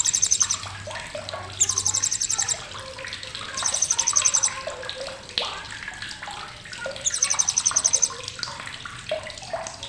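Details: Blue-crowned hanging parrot (srindit) chattering sharply for use in training songbirds such as magpie-robins. Four high-pitched rattling bursts, each lasting about a second, spaced a few seconds apart, over constant water noise and scattered lower chirps.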